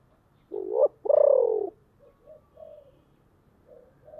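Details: Deep-voiced decoy spotted dove calling to lure wild birds: two loud, low hooting coos, the second longer and gently falling, then several short, soft coos trailing off over the next few seconds, in a quiet background.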